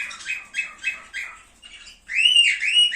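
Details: Cockatiel song used to encourage breeding: quick repeated chirps about four per second, followed by a clear, looping whistled warble.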